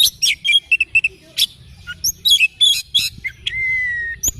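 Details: An oriental magpie-robin sings in the morning, mixing rapid chirps and scratchy notes, then ending with a long, slightly falling clear whistle held for about half a second.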